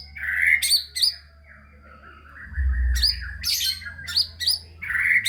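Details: White-rumped shama singing to encourage idle, unmotivated shamas: scratchy, chattering phrases and high sharp notes separated by quieter gaps, with a low background rumble.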